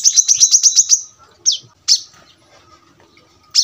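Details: Short rapid series of high sharp notes from a brown-throated sunbird, followed by a few isolated downslurred chips spaced by quiet gaps.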